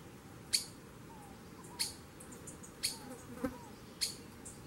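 Streaked Flycatcher giving sharp, high, explosive call notes about once a second, five in all, with soft whistles and a steady hiss behind.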